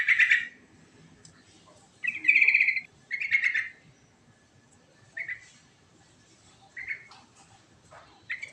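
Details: Sooty-headed bulbul singing in the rolling ngerol style with rich fill-ins, used to make other birds reply: short bubbly whistled phrases, some opening with a sharp downward note, repeated about every one to two seconds with quiet gaps between.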